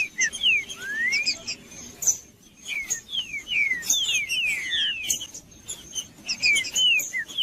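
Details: A male green-winged saltator sings aggressively to fire up rival males. One rising whistled slur is followed by bursts of downward-sliding clear whistles, several in close succession. A high steady tone and soft chirping run underneath.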